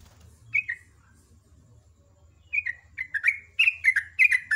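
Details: Morning song of a sooty-headed bulbul, ropel ngecruk style: an isolated slurred note, then a long pause, then an accelerating run of chattering, descending whistles grows louder.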